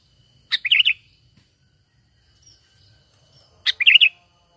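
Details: Sooty-headed bulbul lure call for trapping, natural and without added songs: two liquid bubbling phrases of several rapid rolling notes, about three seconds apart, in a quiet setting.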